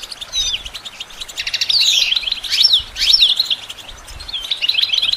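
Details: For training songbirds, a European goldfinch sings twisting, liquid, slurred notes and rapid twitters, swelling to a loud run midway, then softer chirps at the end.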